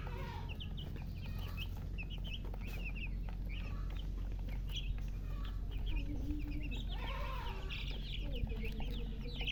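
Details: Chicks of colour-dyed poultry, thirsty for drinking water, give high, short peeping chirps in scattered bursts, many birds calling over each other, with lower clucking-like sounds and a steady low hum behind.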